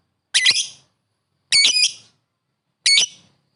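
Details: Lovebird calling a rival: three loud, harsh, rasping squawks, each about half a second, spaced roughly a second apart.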